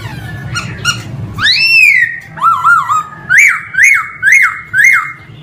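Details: Male laughingthrush song: loud rising whistles leading into a run of bouncing, repeated arched notes about twice a second, clear and ringing over a low hum.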